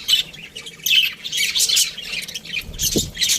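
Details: Budgies in an aviary give scattered harsh squawks and chirps, spaced out rather than continuous, with a low knock near the end.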